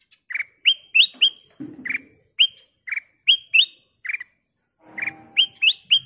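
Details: Lure-bird Ruby-throated bulbul singing a quick run of bright, clipped notes and upward-sweeping whistles, about three a second. A soft low rustle and a brief hum are also present.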